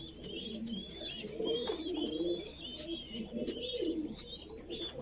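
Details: Voorburg Shield Cropper pigeon chick begging as it is fed, low hoarse wavering notes beneath a busy layer of bright, repeated whistling chirps from other birds.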